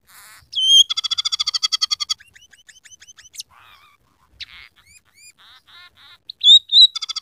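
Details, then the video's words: Vigorous scaly-breasted munia song laced with rough canary, house sparrow and red siskin phrases: a loud whistle, a fast rattling trill, scattered chirps and faint buzzes, ending on bright high whistles and a brief trill. "masteran burung emprit peking gacor isian suara kenari kasar"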